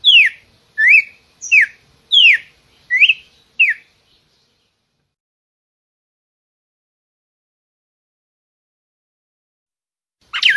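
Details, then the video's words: Red-cowled cardinal singing: six clear whistled, slurred notes, falling and rising, about one every 0.7 seconds, then a pause of several seconds and one further note at the end. "CANTO DO GALO-de-CAMPINA, cardeal-do-sul, cardeal-de-topete-vermelho"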